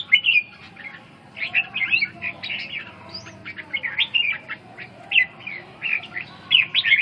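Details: Bursts of lively warbled notes from a red-whiskered bulbul, quick slurred phrases recurring every second or two above a faint low background noise.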